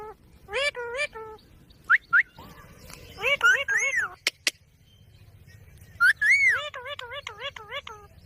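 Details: Ringneck parrot giving bursts of wavering, harmonic-rich notes, a few short high chirps, and a final rapid run of rising-falling notes. Two sharp clicks occur midway.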